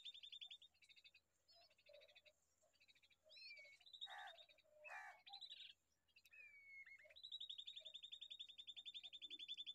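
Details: Baby bulbul calling: rapid strings of high buzzy, rattling notes alternate with clear whistled slurs and short loud chirps, the rattles repeating several times a second throughout.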